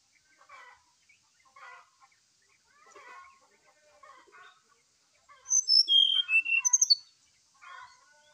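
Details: Morning lure song of an agitated brown-chested jungle flycatcher: several seconds of quiet, low chattering phrases, then a burst of loud, pure whistles descending in steps, followed by another soft chatter.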